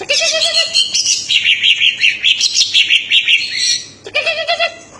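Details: Cucak ijo, or greater green leafbird, singing strongly: a low wavering whistle opens, then a rapid pulsing chatter of about three notes per second, ending with another low warbled whistle.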